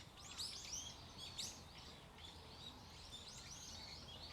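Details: Several birds chirp at the stream garden in Aoba no Mori Park, 27 November: bright high twittering notes cluster in the first second and a half, then thinner chirps continue over a faint low hum.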